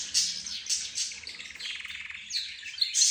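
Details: Mixed chorus of pet birds: budgerigars, a rose bird, zebra finches and a canary. High chirps and short squeaky notes overlap, with a quick buzzy rattle through the middle and sharp bright notes at the start and end.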